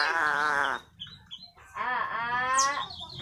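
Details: Talking Eclectus parrot producing two drawn-out, nasal, wailing voice-like phrases separated by a short pause, with a thin high squeak near the end.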